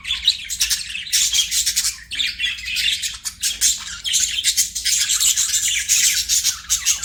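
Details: Continuous chattering of pet budgerigars: rapid, buzzy, high twitters and scratchy warbles that rise and fall in intensity throughout, with no other sounds standing out.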